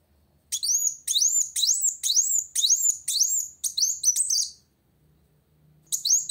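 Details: Olive-backed sunbird singing to challenge a rival, a series of loud high upswept notes roughly twice a second, changing to buzzier quick notes, then a pause before one more note.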